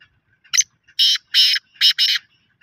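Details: Black francolin (kala tatter) giving a loud, harsh, grating call: a short scratchy opening note, then two longer rasping notes and a final pair, all within about two seconds, in a quiet background.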